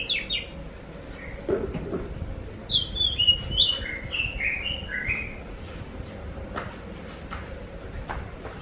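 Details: Oriental magpie-robin (kacer) singing as a lure for other magpie-robins: a few high notes at the start, then one descending chain of whistled, bending phrases in the middle, with low rumbling noise throughout.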